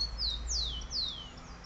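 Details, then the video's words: Wild bird singing to attract a female: three high, clear whistles, each sliding steeply downward, about every half second over a low background hum. "Pássaro silvestre cantando para atrair a fêmea"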